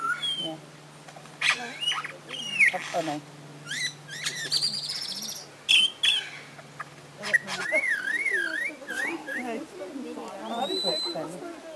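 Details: Lyrebird from Australian forests, known for mimicking other sounds, singing a varied medley of sharp whistles, rising and falling slurs and a wavering trill, with a low steady hum beneath and brief talk near the end.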